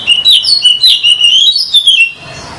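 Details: Lure song of an oriental magpie-robin used in bird trapping: a fast, continuous run of high whistles, sweeping slurs and chirps that ends abruptly.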